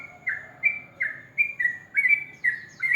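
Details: Sooty-headed bulbul in the morning giving brief whistled notes, some dipping then leveling, roughly two per second, with faint high chirps from other birds.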